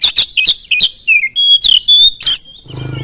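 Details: Loud Oriental magpie-robin song used to goad other magpie-robins into singing: quick harsh chattering notes, then long pure whistles. A low engine hum starts near the end.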